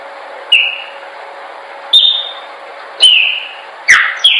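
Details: Chopi blackbird singing for song training: spaced single whistled notes with sharp onsets, about one every second, the last two closer together and fuller, over a steady faint hum.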